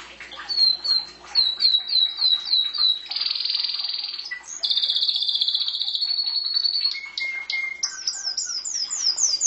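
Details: Pet canary singing: quick series of high, falling whistled notes, then long buzzy rolling trills held for a second or more, and finally a rapid run of sharp descending chirps.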